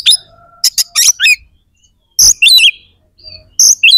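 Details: Oriental magpie-robin (kacer) in full 'gacor' song, meant to rouse aggression and breeding drive in other kacer; loud, very high bursts of sharp whistles, scratchy trills and quick sweeping notes in short phrases, a brief silent gap midway, then more phrases.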